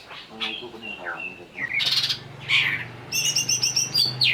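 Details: Agitated greater green leafbird singing after being provoked, mixing clear whistled notes, a rough harsh burst and rapid high chattering trills toward the end, over a faint low hum.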